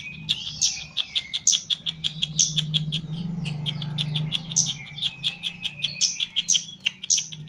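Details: Kept Chestnut-capped laughingthrush from Java during mental training sessions delivers busy gacor singing: dense runs of quick high clicks and chips with a lower whistled strand weaving through, accompanied by a noticeable low droning hum.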